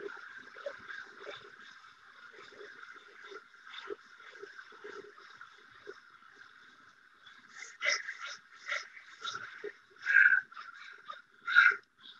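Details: Northwestern crows at a huge winter roost around Still Creek in the Lower Mainland give a steady crowd chatter, then several loud, harsh caws break through in the last few seconds.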